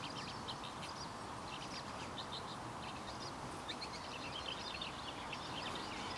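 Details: Singing male Woodchat shrike of the nominate race senator at Rishammar, Kareby, Kungälv municipality, on 10 June 2015: short scratchy, chattering high-pitched phrases in bursts, set against a steady broadband background rush and low rumble.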